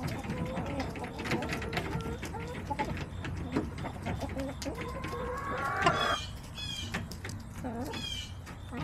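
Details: Backyard chickens recorded September 21, 2024: hens give low, repeated clucks and a rising drawn-out note, followed by high, thin, downward-sliding chirps in the second half.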